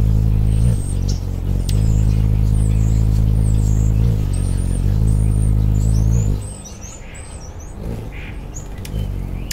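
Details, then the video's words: Anna's hummingbird in suburban Portland, Oregon, in December 2010; a deep steady droning hum from the wingbeats for about six seconds, then fading, with high thin chirping birds throughout and a faint traffic-like background. "Hummingbird with actual wingbeat sound"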